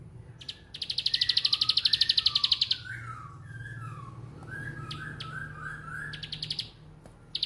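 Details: 'Bren' song of a bar-winged prinia: a loud two-second run of fast high ticks, then softer descending whistled phrases and chirps, followed by short ticking bursts.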